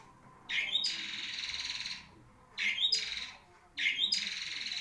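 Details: Long-tailed shrike song, a kept songbird praised as a king of long singing: three harsh, buzzy, broadband notes, each about a second long and opening with a brief higher squeak, spaced roughly every 1.5 seconds.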